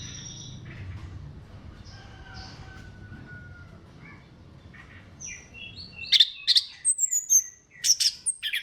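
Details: Orange-headed thrush song, used as a lure to prompt other thrushes to sing. Six seconds of faint hiss and soft thin whistles lead into a loud burst of sharp high chirps and clipped whistled notes.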